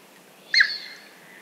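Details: A Chestnut teal (Anas castanea) duck gives one brief, slightly nasal whistled note that hooks upward and trails off, with only faint background hiss around it.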